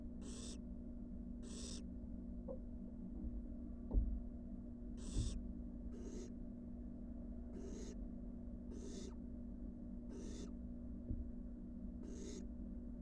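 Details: Barn owl nestlings, wild, settling back into the box after a spell on the porch, give nine rasping hisses spaced about one to two seconds apart, with a constant low droning hum and a few soft knocks.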